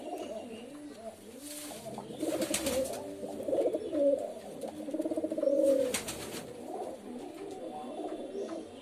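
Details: Pigeons cooing in low, throaty, overlapping bursts that swell and fade. Several coos run together, with brief broadband rustling or flapping noises in between.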